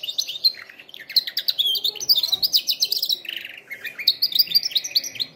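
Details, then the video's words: Canary song for training canaries: continuous fast trilling of high chirped notes, a lower buzzy roll midway, then bright repeated high notes. "canary singing best video to training canaries birds"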